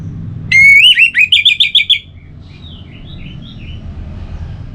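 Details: Orange-headed thrush, relaxed song: a loud rising whistle leads into about eight quick, evenly repeated bright notes, trailing off into softer wavering notes against steady low traffic-like rumble.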